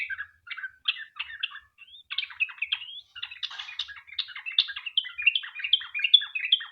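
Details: Sooty-headed bulbul singing a lively lure song meant to make other bulbuls answer: quick chirpy phrases of short slurred notes, loosely spaced at first and then packed closer, in a quiet setting.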